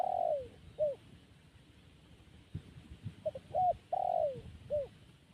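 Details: Cooing zebra dove: a long descending coo and a short hooked note, a quiet gap, then a rapid run of clipped notes, another long sliding coo and a final short note, with faint low background noise.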